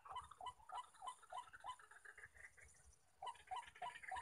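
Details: Males of white-breasted waterhen calling in the wild near a trapper's decoy: bursts of nasal, clucking notes repeated rapidly, a short pause, then the rhythmic series resumes.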